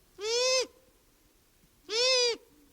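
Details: Long-eared owl giving two nasal, buzzy, kazoo-like calls, each about half a second long and slightly rising, spaced roughly a second and a half apart.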